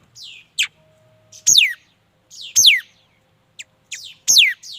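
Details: A mi dat bird sings clear, high, downward-sliding whistles about once a second. Softer short notes and chips come between the louder phrases.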